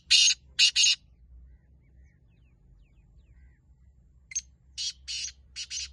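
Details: Black francolin call phrase: two or three loud, rasping, buzzy notes, then a silent gap of over three seconds, then four more grating syllables, the last ones fainter, over a low background drone.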